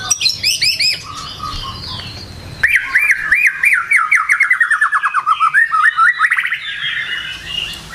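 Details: After a noisy, chirpy start, a White-rumped shama in a morning lure recording launches a long rapid chain of looping whistled notes, over a dozen in quick, even succession, then softer notes.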